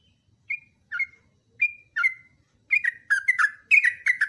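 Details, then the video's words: Yellow-vented bulbul long song for training other birds: spaced single whistled notes at first, then a quickening flurry of bubbly, chattering phrases with falling slurs. "TRUCUKAN GACOR ROPELAN PANJANG"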